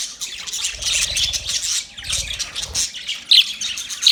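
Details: Caged budgerigars chatter in high raspy warbles, in two bursts separated by a brief lull, ending with a couple of sharp squeaks.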